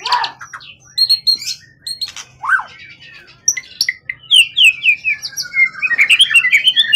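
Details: Wild-caught competition songbird with a tail over 20 cm, kept long in care and singing readily. It gives varied high chirps, whistled slurs and rapid trills, and the pace quickens into a dense run of descending whistles near the end. A low hum runs underneath.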